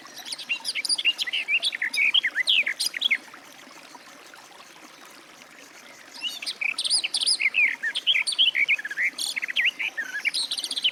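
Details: Two bursts of hurried, rich warbling by a Garden warbler (Sylvia borin), the first about three seconds, then a quiet spell, then a longer tumbling phrase running to the end.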